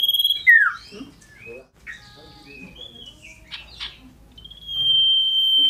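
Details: Caged scarlet-headed flowerpecker singing loudly while hopping about: a high, ringing whistled phrase, a sharp falling note, scattered chirps, then a long steady piercing whistle held at one pitch.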